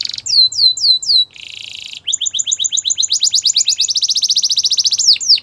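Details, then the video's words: Yellow canary in morning song: a few descending whistled slurs, a brief buzzy harsh note, then a long rapid trill of repeated high chirps that speeds up before ending in falling sweeps. "Yellow Canary Singing In The Morning"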